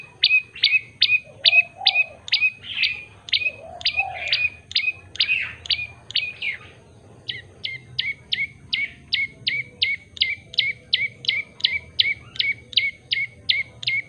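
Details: Common tailorbird (prenjak lumut) in full, lively song with variations: fast series of sharp, bright chirps repeated about two to three per second, briefly pausing midway before resuming, with a few lower, softer notes underneath.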